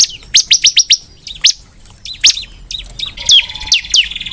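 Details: Lively bar-winged prinia singing: a burst of five sharp high notes, followed by scattered chips and a brief whistled slide near the end.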